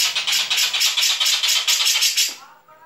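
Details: A national-champion Grey-cheeked Bulbul giving a harsh, rattling chatter of rapid pulses, about eight a second, for over two seconds before fading, with faint softer notes at the end.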